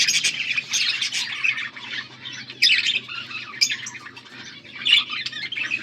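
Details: A group of budgerigars recorded August 14, 2024, giving harsh squawky bursts and buzzy chirps in clusters roughly every second, louder peaks near three and five seconds, over a faint low background hum.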